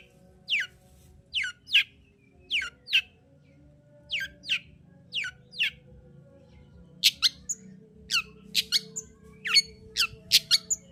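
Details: Lure song of a Long-tailed shrike meant to provoke a silent bird to sing: sharp downward-sweeping whistled notes in pairs, then a quicker run of bright, clipped notes, with a steady faint background hum.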